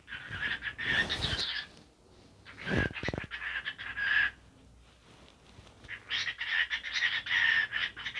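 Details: A dancing cockatiel talks in harsh, buzzy phrases, with a long burst at the start, a pause broken by a few knocks, then a steady chattering stretch at the end.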